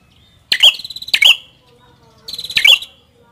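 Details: Red-headed prinia phrases in Indonesian bird song: three bright, sharp chirping bursts with short trilled endings, the first two close together and the third after a pause of about a second, over a quiet background.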